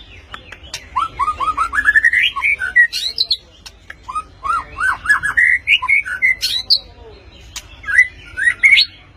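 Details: White-rumped shama of the speckled-plumaged type singing sharply: rapid runs of rising whistled notes strung into rolling phrases, with sharp clicks and short high flourishes, over a low background hum.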